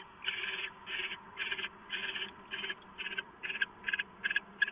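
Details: Owl getting leftovers, filmed by a live camera early on the morning of 15 March 2014; a run of short, breathy, rasping hisses comes in quick succession, speeding up slightly and turning sharper toward the end.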